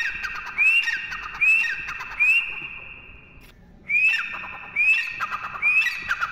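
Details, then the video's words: A partridge (teetar) gives loud, harsh, rising squawks, about one every 0.8 seconds, over a steady high ringing tone, with a short pause midway. "teetar ki awaaz"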